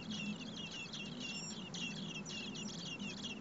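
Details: Four blackbird nestlings, fed in their nest by both parents during a hot spell over 30 °C, give a frantic chorus of thin, piercing chirps and trills, with a low steady hum underneath.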